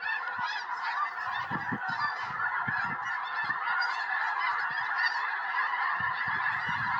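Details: Large wild flock of snow geese circling and landing in a Tennessee field on January 21, 2026, before a historic snowstorm; dense continuous honking over repeated low rumbling thumps.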